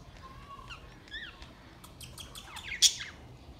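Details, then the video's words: Budgerigars at play, showing bright colours, recorded June 14, 2023: a thin rising whistle, then short bent chirps and a quick run of sharp clicks closing in one loud squeak, over a faint low hum. "Beautiful play budgies birds"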